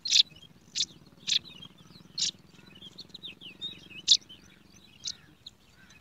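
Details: Nestling yellow sparrows begging for food in a garden nest: loud, sharp high chirps repeated roughly every half to one second, with softer twittering notes between them.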